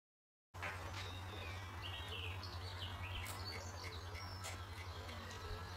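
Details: Red crossbills visiting a pond by a hide at RSPB The Lodge reserve, Sandy, Bedfordshire, in March 2012, give short, sharp, high chipping notes scattered irregularly over a steady low rumble of wind or distant traffic.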